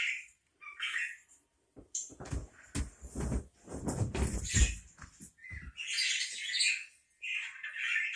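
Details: Short high chirps from a parakeet at the start and a louder warbled run toward the end, separated by a stretch of low thumping and rustling.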